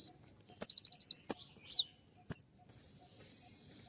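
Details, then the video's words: Sunbird (kolibri ninja) courting a female: a quick burst of high ticking notes, then three sharp, separated downslurred squeaks, ending in a thin sustained high hiss. "putar sekali koninmu pasti nyaut masteran suara tembak yang buat konin emosi"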